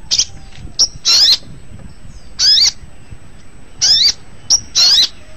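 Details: Long-tailed shrike song for training cage birds: loud harsh grating bursts with sweeping high whistled strokes, repeated roughly every one to one and a half seconds, with short sharp clicks between.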